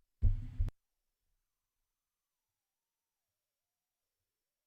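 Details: A single short low thump near the start, then silence, with no animal calls.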